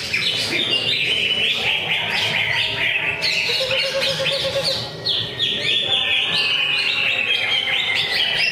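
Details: Caged greater green leafbird (cucak ijo) performing at a Friday songbird training contest: busy chattering song of quick whistles and sliding notes, with long descending whistled strokes toward the end and faint voices in the background.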